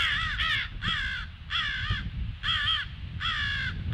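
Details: Crows giving alarm calls on 18 February at 08:50: loud, harsh caws with strong harmonics, about five calls in four seconds, each roughly a third of a second long, over low background rumble.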